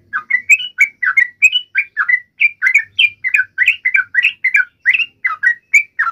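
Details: Yellow-vented bulbul giving an agitated fighting call meant to make another bird reply: brisk run of liquid, chirpy phrases, notes bending up and down, repeated about three times a second without a break.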